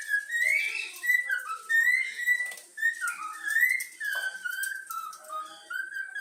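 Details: Yellow-cheek cockatiel, a young pet trained to sing the Flamengo anthem, whistles a flowing melody of loud, clear notes with smooth slides. One sharp downward dip comes midway, and the tune carries on without pause.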